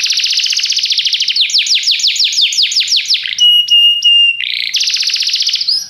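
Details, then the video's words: Canary in song, opening with a dense buzzy trill, moving into a rolling series of rising sweeps, then a pair of long pure whistled notes before a fast high trill resumes. "Seu canário cantou imediatamente depois de ouvir este canário"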